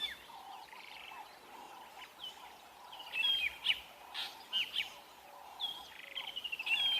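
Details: A drongo near its nest at a sunset safari on 17 April 2022 scolds a Wahlberg's eagle to protect its chicks or eggs, giving bursts of sharp metallic whistles and harsh chattering notes while other birds call steadily.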